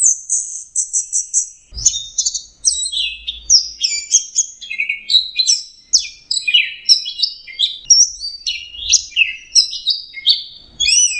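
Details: Orange-headed thrush delivering a continuous melodious song. It opens with evenly spaced high notes, then pours out a rapid, varied stream of whistles, slurs and trills across a wide pitch range.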